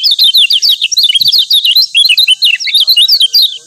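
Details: Kecial kuning, the yellow white-eye of Lombok, in a training recording meant to stir other birds to sing: a continuous, fast, high-pitched twittering of rising and falling chirps running without pause.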